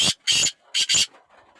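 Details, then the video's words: Kala teetar, the black francolin, calling in loud hoarse rasps: a short note, a longer one, then a brief note and a longer one run close together, with faint noise trailing after. "Pure laka kala teetar ki awaz"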